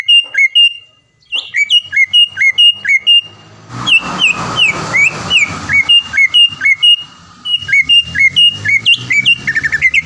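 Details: Greater green leafbird kept for song contests in Palembang, Indonesia, repeats crisp hooked whistles in rapid series, with a noisier middle section and a final quickening burst of short notes.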